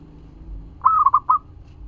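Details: Local Indonesian zebra dove (perkutut) in full song, used as a lure to make other doves answer: one short phrase of about four mellow, bubbling coos, the first drawn out and the rest clipped, over a faint low hum.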